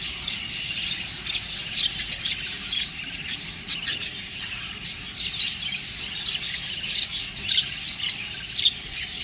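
Budgerigars chirp and chatter in a busy, continuous stream of high, scratchy twitters.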